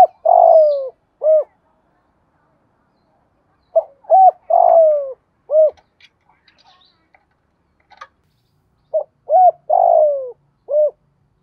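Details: Spotted dove giving urging and calling coos in the earthy-field voice style, used to make other doves answer: three low hooting phrases, each with a drawn-out falling middle note, separated by pauses with faint clicks and small noises.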